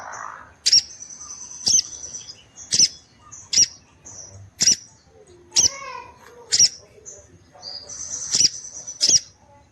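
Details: Orange-headed thrush female calling steadily, which makes males respond and come into breeding condition; piercing high clicks come about once a second, trailed by thin whistled notes and a brief softer warble midway.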